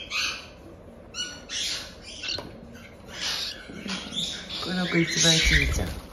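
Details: One-month-old cockatiel chicks, bred in Tokachi, Hokkaido, making their chick-only 'jaa jaa' cries: scratchy, noisy bursts in irregular clusters, mixed with a person talking softly and some handling noise near the end.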